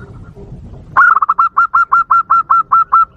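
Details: Lure call of a zebra dove, used to provoke wild doves. After a quiet start, a rapid run of short mid-pitched coos starts with a stutter, then settles into about ten evenly spaced notes in two seconds.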